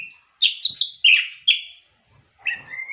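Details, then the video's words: White-rumped shama singing short clear whistled phrases at high pitch, a burst of four quick rising and falling notes followed after a pause by a longer slurred whistle that rises at the end. "MURAI TAMBAH NGOTOT DENGAR SUARA ASLI INI"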